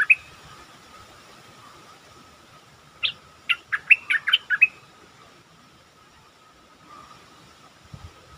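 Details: Caged stripe-throated bulbul used as a lure, singing one rapid bubbly phrase of six or seven clipped, warbled notes mid-clip, then falling quiet, against a steady hum and soft background rumble.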